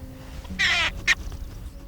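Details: European storm petrel on Mousa, Shetland, answering at night from a nest crevice in a wall to a played-back call during nest monitoring: a harsh, raspy churr of about a third of a second, then a brief hiccup-like note, over a quiet background.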